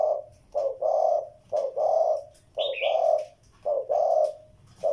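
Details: Steady series of low, soft spotted dove coos, each phrase a brief note followed by a longer mellow one, repeated about every second and a half; another bird briefly chirps high above midway.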